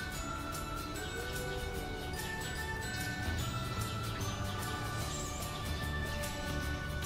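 Continuous music with tinkling, jingling bell-like tones and steady low rhythmic sound fills the whole stretch, with no clear animal call.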